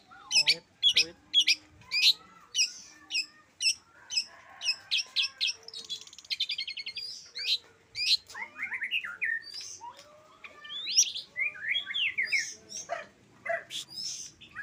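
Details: Energetic long-tailed shrike song opening with evenly spaced sharp chips about twice a second, then a brief buzzy rattle, followed by rich warbled phrases of slurred whistles and rapid twitters.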